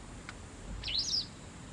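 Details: Autumn white wagtail around a house where birds contest garden territory: one bright, high twittering call of quick up-and-down notes lasting about half a second, with faint low background noise.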